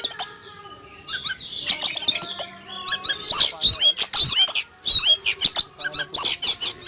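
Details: Oriental magpie-robin kept in a cage in a yard, alarmed by an eagle flying past one morning; a dense run of short sharp whistles and raspy, buzzy notes comes in quick bursts throughout, with scattered clicks.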